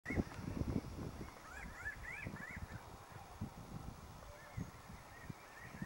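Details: Pinyon jay flock calling in the background near Salida while one bird preens: faint, arched, mid-pitched calls in short overlapping clusters, over steady low rumbling noise and soft rustling.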